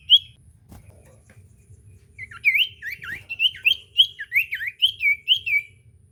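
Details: Common iora singing, used as a lure to get a quiet iora singing: one short whistle, a faint low rumble, then a regular run of bright, looping whistled notes repeated about twice per second.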